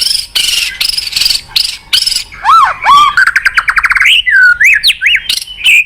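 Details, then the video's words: Murai batu song used to get a lazy caged shama to answer. Buzzy high bursts give way to arched whistled slurs, a rapid stuttering trill, then rising and falling clear whistles. "Pancingan MURAI BATU MALAS BUNYI Sekali putar langsung NYAUT ,GACOR & BONGKAR ISIAN"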